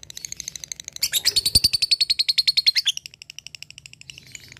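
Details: High, rapid ngekek chatter from a fighter lovebird calling out a rival. Softer ticking notes swell into a loud, fast string of shrill buzzy notes, then fade back to quieter ticks.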